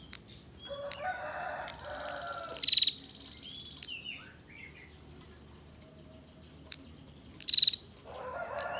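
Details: Female bar-winged prinia giving a dense ngebren ngetir style song used as master song for training songbirds: buzzy rasping bursts in a low band alternating with short, sharp high trills and scattered thin chips.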